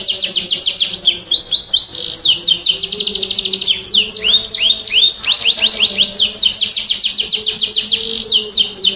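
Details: Canary singing nonstop in high trills, played to stimulate stuck or stressed canaries to sing: dense repeated sweeps alternating with slower looping slurs midway, then a rapid rattle to the end; a soft low drone runs underneath.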